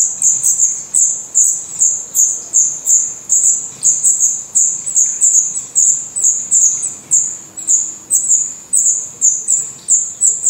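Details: Young black redstarts in the nest in Portugal, eyes open and feathers growing, keep up a continuous rapid stream of shrill, very high hissing cheeps, about two or three each second, with faint rustling below.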